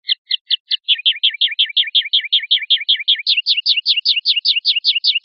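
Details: Common linnet singing a fast, rhythmic run of paired twittering notes, each with a high and lower part. Partway through, the phrase shifts to a slightly higher, brighter version that repeats quickly to the end.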